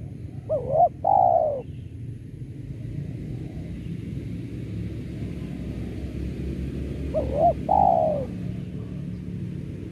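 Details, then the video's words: Spotted dove used as a lure call for trapping doves: two soft, mellow coo phrases, each a quick run of rolling notes, several seconds apart, over a low steady rumble. "Pancingan Suara Tekukur"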